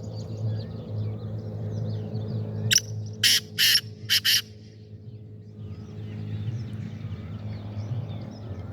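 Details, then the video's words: Black francolin (kala teetar) recorded on 25 April 2024: one loud, harsh phrase of about five grating, broadband notes in rapid succession near the middle, over a steady low rumble and faint twittering of distant small birds. "Kala Teetar Sound"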